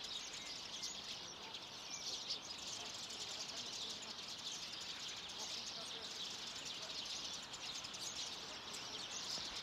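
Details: A flock of at least 100 common redpolls at a bird feeder in Haga, 3 March 2024, keeps up a dense, high chatter of twittering and buzzy calls, overlapping continuously with no pauses.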